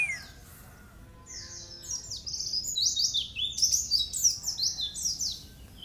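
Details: White-eye song in the nembak style, used as a training recording: after a quiet start, a fast, irregular chatter of sharp, high, downward-slurred chirps builds in loudness, roughly three notes a second.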